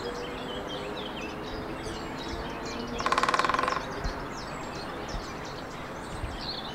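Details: Lesser spotted woodpecker recorded in the Ariège foothills, France, in April 2023. One rapid burst of about a dozen evenly spaced sharp pulses lasting under a second, over steady background hiss with faint distant bird notes.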